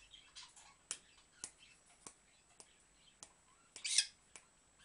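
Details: A pet dusky-headed conure (Thectocercus weddellii) dances and makes sharp, smacking kissing noises about every half second, then gives a brief raspy squawk near the end.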